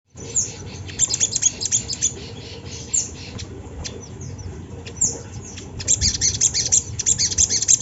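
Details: Sunda laughingthrush recorded as a lure to get other birds singing: bursts of rapid, high, thin chirps and sweeping notes, sometimes in dense runs, broken by quieter pauses over a steady low background hum.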